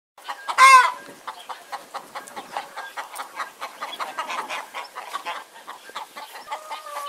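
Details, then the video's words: Domestic chicken clucking: one loud, harsh squawk near the start, then a steady stream of short, low clucks repeated several times a second, with a few longer drawn-out notes near the end. "Chicken Clucking"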